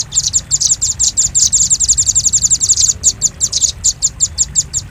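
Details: Velvet-fronted nuthatch lure sound used for luring birds: a steady run of sharp, very high chips, about three per second, briefly thinning near the middle before resuming.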